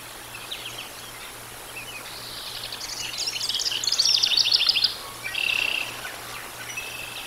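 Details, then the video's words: Bald eagles at Decorah North, recorded by a live nest camera on 13 July 2022 at 18:47; a loud stream of fast, high-pitched staccato chirps in the middle, then a short clear piping note and softer calls. "Decorah North Bald Eagles"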